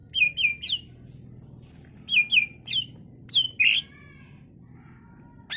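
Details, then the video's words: Greater green leafbird song for drawing replies from other leafbirds: two bursts of three bright chirps, a harsh slurred note, a long silence, then a short final note. "Cucak ijo gacor full isian Variasi Cocok buat Pancingan agar Cak ijo lain Nyaut dan Gacor"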